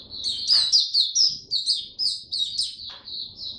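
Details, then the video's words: Oriental white-eye, a hobby songbird, singing on the first day of a supplement test: a fast, high twittering run of short slurred notes, bunched in quick bursts with brief gaps. "Mata Puteh Buka Sing"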